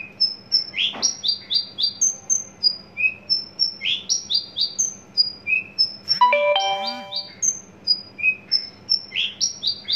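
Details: {'caption': "Adult male Horsfield's bush lark, caged and tame, newly in breeding condition, pours out a fast mix of thin high whistles and rising chirps; a brief electronic ringing tone sounds midway."}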